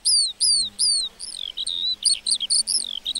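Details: Meadow lark song opening with three loud descending whistled slurs, then breaking into quicker twisting chirps and short trills, all high-pitched and clear against a quiet background.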